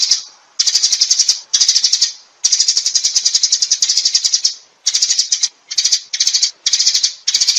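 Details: Sparrows calling the flock: dense bursts of bright, rapid chirping, each burst lasting about half a second to two seconds and separated by short silent gaps.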